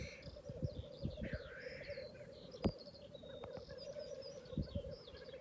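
Black grouse: a steady, low, dovelike bubbling murmur runs throughout, with higher whistling birds above and a few sharp knocks.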